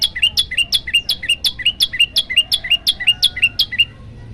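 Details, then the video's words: Yellow-bellied prinia master recording used to agitate other birds: a fast run of about fourteen sharp, bright chirps, each sweeping up then down, roughly three per second at an even pace. "masteran burung prenjak lumut bikin emosi burung yang dengar"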